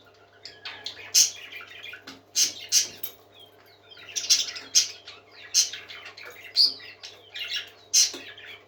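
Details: Several pet parakeets singing: rapid high chirps and short scratchy notes in bursts of one or two seconds, with sharp clicks between phrases and a faint steady low hum indoors.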